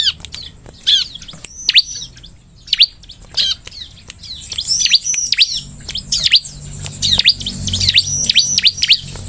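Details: Bar-winged prinia (ciblek) lure song for prompting other ciblek: lively high chirps and fast falling whistles, grouped into rapid bursts that grow denser toward the end, with a low background rumble.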